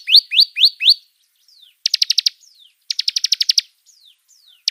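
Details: Bar-winged prinia lure call used to attract and draw in birds: a few sharp descending chips, then fast trills of bright ticking notes alternating with faint, thin downslurred whistles.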